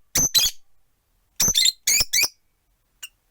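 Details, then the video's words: Four caged rosy-faced lovebirds, one perched, near a window: two loud, raspy double chirps a second apart, then a trio of harsh, buzzy squawks and one tiny faint peep. "Lovebird Chirping Sounds"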